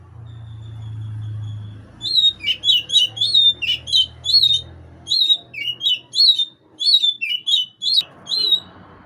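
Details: Chirping magpie-robin luring an opponent, a steady low hum at first, then a rapid run of short, piercing, slurred chirps repeated roughly twice per second for about six seconds before stopping abruptly.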